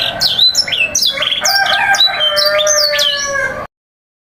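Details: Young-canary tutoring recording of canary song in sanger style: quick rising and falling whistled notes over a continuous rolling trill, busy and loud for about three and a half seconds, then abrupt silence.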